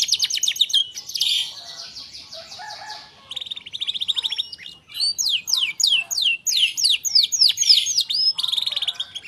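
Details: A canary singing, recorded to lure silent canaries into song: nonstop high, bright phrases of rapid buzzy trills, rolling tours and runs of quick down-slurred whistles, about three or four notes a second.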